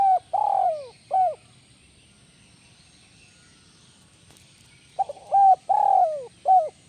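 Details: Spotted dove song in the 'kuk 1 melambung' style. The end of one phrase is heard first, then after a pause a complete phrase: stutter notes, a held coo, a long falling rolled coo, and a closing coo.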